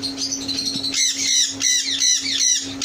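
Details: Yellow Indian ringneck parrots in a breeding setup squawking loudly, harsh rasping screeches repeated about every half second, with a steady low hum behind.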